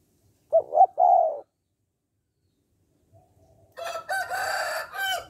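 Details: Spotted dove call meant to stimulate males to call quickly: one low three-part coo, two clipped notes and a longer hoarse one, followed by a loud, harsh rooster crow.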